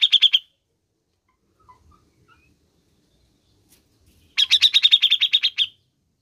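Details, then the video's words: Grey-cheeked bulbul sound aimed at making caged birds sing: a brief chirp run, near silence with faint low thumps, then a long rapid chattering series of about fifteen notes. "PUTAR SAJA JIKA INGIN CUCAK JENGGOT ANDA GACOR"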